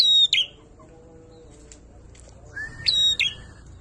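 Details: Prinia singing a loud, drawn-out "ngalun" song: two sharp, high chirp bursts with a ringing tone, the second bunch introduced by a short steady whistle, separated by a quiet gap with faint low background hum.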